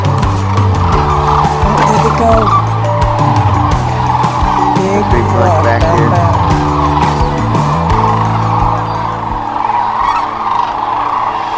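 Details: Thousands of Sandhill Cranes gather on the Platte River near Kearney, Nebraska, at the height of spring migration and wake at dawn before leaving the river. Their dense chorus of rolling, trumpeting rattles overlaps without pause over a steady low hum, possibly music.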